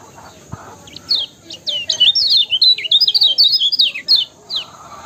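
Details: Kecial kuning singing to provoke other birds: scattered high chirps build into a fast twittering phrase of slurred, rising and falling notes, then trail off into single chips, with a faint thump early on.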